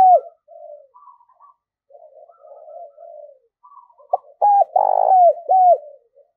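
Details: Decoy spotted dove cooing to draw in wild doves: faint, scattered low coos at first, then a loud burst of four hooked coos near the end, with one long rough note in the middle.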